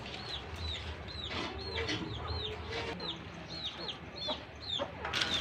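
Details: Two caged Pakistan ringneck parakeets chirp to one another as a pair: bright down-curving chirps repeated roughly every half second in a steady run, over low background rumble and a faint voice.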